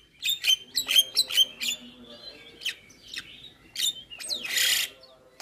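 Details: Javan myna, 'isian' song style: quick clicks with bright whistled accents, softer scratchy notes, and a final loud hissing rasp.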